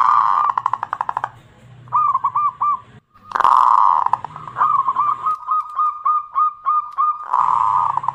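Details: Local zebra dove song played as a lure to get other birds singing: bursts of hoarse coo phrases alternating with crisp, evenly spaced hooting notes in quick series, with brief gaps of quiet.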